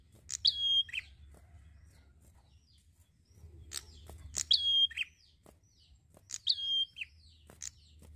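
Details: Prinia singing in a relaxed, steady way: three phrases of a sharp chip, a level whistle and a falling buzzy note, separated by short high ticks and quieter gaps, over a low hum.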